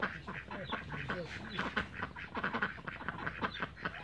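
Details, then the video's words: Backyard Cayuga ducks quacking steadily, a dense run of raspy nasal quacks from several birds overlapping through the whole stretch, with some lower murmuring calls underneath. "CAYUGA DUCKS BACKYARDS"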